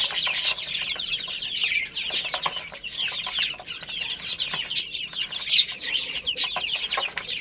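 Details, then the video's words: Chicken chicks at play and feeding keep up a steady, busy chatter of high descending cheeps, many birds calling at once, with scattered sharp clicking sounds. "Cute Little Chicks Chirping Sounds"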